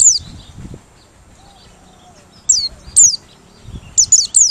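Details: Merapi white-eye singing open-beaked, a song used as a lure: a few thin, very high notes sliding steeply downward, one at the start and a quick cluster near the end, with long quiet gaps between.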